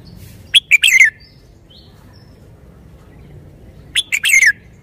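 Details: A caged red-whiskered bulbul gives two short, bright phrases about three seconds apart, each a quick run of chirpy notes slurring downward at the end, over a quiet background.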